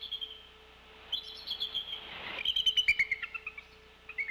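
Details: Female Bald Eagle brooding eggs at the Decorah nest, 16 February 2024 afternoon, chatters at something in the air, likely her mate answering off camera: thin, high, squeaky staccato notes in a short burst, trailing off, over a low hum.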